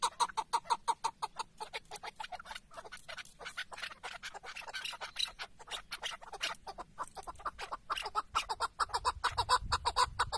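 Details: During a decoy partridge hunt in Şırnak, Turkey, a tethered chukar partridge utters rapid, raspy chucking notes in pulsing runs, rising and falling in loudness, with a low thump near the end.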